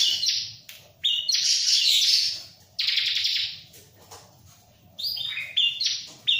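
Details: Ciblek, or bar-winged prinia, singing freely near a myna: long, scratchy, buzzy runs of high notes broken by short silences, ending in clipped chirps.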